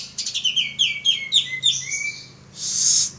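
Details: Active male pied triller lure song: a fast run of sliding whistled notes slowing down, ending in a loud harsh rasp.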